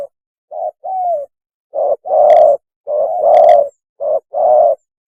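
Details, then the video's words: Spotted dove mating call for luring: repeated phrases of a short coo followed by a longer, rounder coo, about one phrase per second. Some loud notes sound distorted. "PANGGILAN KAWIN...!!! SUARA BURUNG TEKUKUR TERBAIK"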